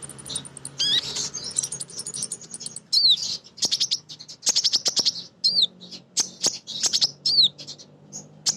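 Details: Vigorous female Crimson sunbird song of the kind used to lure other birds into singing: dense, very high twittering chips and hooked notes in rapid clusters, with brief pauses between bursts.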